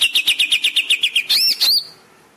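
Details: Greater green leafbird song for training caged birds: a dozen even, rapidly repeated chirps, then two loud arching whistles fading away.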